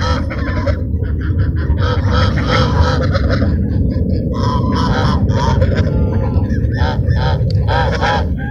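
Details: Feeding ducks at Sunset Park give repeated nasal honking quacks in clustered bursts, heard over a heavy, constant low rumble.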